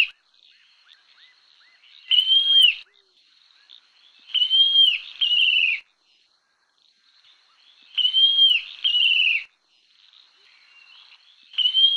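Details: Montane nightjar (Caprimulgus poliocephalus) song: paired high whistles, the second slightly lower and falling, repeated every few seconds over faint background hiss and distant chirps.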